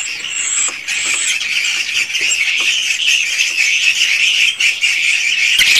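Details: Swiftlets in a swiftlet house in Indonesia, original recording of calling and roosting sounds: a dense, continuous high chatter of squeaky, buzzy chirps layered over each other, with short sharp twitters near the start.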